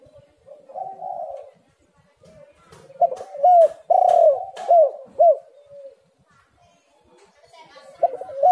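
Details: Lure recording meant to set spotted doves calling. Muffled low cooing builds into several loud, curved coo notes in quick succession, then fades to a soft pause before one more coo closes the clip.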